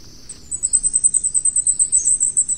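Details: Very high, sibilant notes from a Flamecrest, a bird endemic to Taiwan's mid- and high-elevation mountains, tumble out rapidly at roughly eight per second in an unbroken string.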